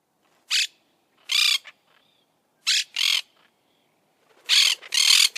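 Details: Monk parakeet giving harsh, raspy squawks in short bursts: one note, then a paired pair, then two quick loud harsh notes near the end, separated by brief silences.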